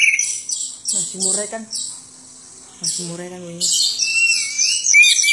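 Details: Isian song of a greater green leafbird: continuous high, scratchy chatter and whistled slurs, with human voices speaking twice in the background.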